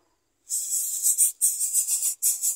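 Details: Yellow-vented bulbul chicks, trying to swallow worms as they are fed, beg with harsh, hissing rasps in long bursts, broken by a few short pauses.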